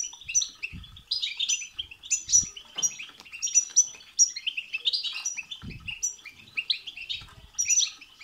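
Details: European goldfinch song used to stimulate a caged goldfinch to sing: fast, dense twittering of liquid chirps and buzzy trills, bright notes repeated almost continuously, with occasional low thumps in the background.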